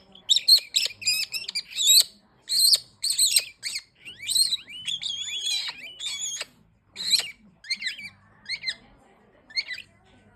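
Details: Green-winged king parrot calling in a rapid, irregular run of harsh, squawking notes with bright, ringing overtones. Some bursts rise or bend in pitch, and short pauses separate the groups of calls.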